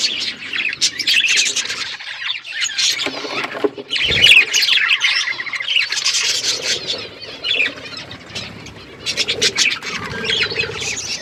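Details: Outdoor aviary budgerigar flock, long stretch of loud, high chattering chirps and squawky warbles from many birds, broken by a brief low thump midway.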